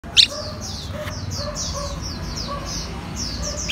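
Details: Red-whiskered bulbul of an 'eagle gene' line, practising eating cricket bellies; quick high downslurred chirps repeated in a steady stream, one sharp click near the start, low hum beneath.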